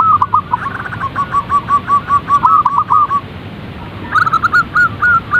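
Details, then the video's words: Zebra dove calls: a quick string of short, rolling coos, some with a trill, then a pause and a second rapid burst of similar notes, set against steady background hiss. "Panggilan suara perkutut agar cepat bunyi & gacor | zebra dove calls bird"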